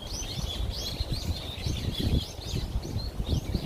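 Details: Black-rumped flameback (Dinopium benghalense), a woodpecker, gives a run of high, arched, chattering notes, about three per second, over a steady low rumble of wind or handling noise.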